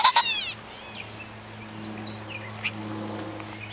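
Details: Male pheasant cackling from brush after chasing a person and flying into thorny cover: two short, harsh, harmonic bursts right at the start, then near silence with a steady low hum.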